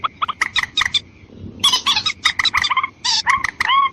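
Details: Lure recording of watercock, meant to attract both females and males: quick clipped notes in clusters, then loud harsh bursts and curving upswept calls, with a faint steady tone behind.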